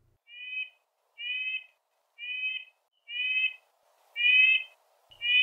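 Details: A male Red-breasted Nuthatch claiming his territory in boreal forest gives nasal, tinny yank notes, about one per second, each a short even toot, over a faint hiss.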